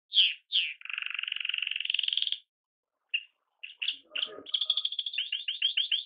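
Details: Young pet canary in song shortly before it died; sharp chips, a long steady buzzy trill, a pause, then scattered notes and a fast, high repeated trill.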